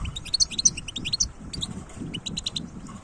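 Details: Dense, fast jingling notes from a wild European goldfinch, 2022, bright chirps and tinkles tumbling one after another almost without a break, with a soft low-pitched murmur underneath.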